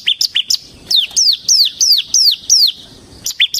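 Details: Ciblek semi Bar-winged prinia, 'ngebren' singing: a few quick high chips, then six longer, loud, downward-sweeping whistled notes spaced about half a second apart, then more short chips.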